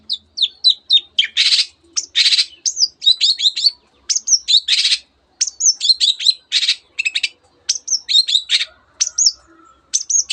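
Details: Long-tailed shrike singing rapidly with mimicked canary and many other birds' phrases, quick sharp chirps and whistles in tight runs interleaved with harsh rasping bursts, nearly continuous for ten seconds.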